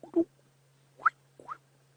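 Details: Orioles calling at sunrise on a July morning safari drive: three brief liquid notes, a low one then two rising fluty slurs about half a second apart, over a steady low engine hum; oriole.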